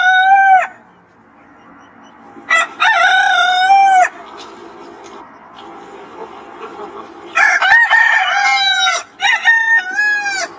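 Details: Rooster crows in the morning before sunrise, several crows overlapping: loud harmonic calls with steady held tones and drawn-out endings, separated by quieter stretches with faint background noise.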